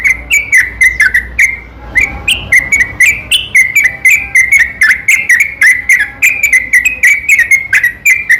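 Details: Yellow-vented bulbul lure song recorded at night, continuous gacor garuda delivery to provoke silent bulbuls; dense stream of bubbling whistled notes and clicks after a short opening gap, slightly rising and falling.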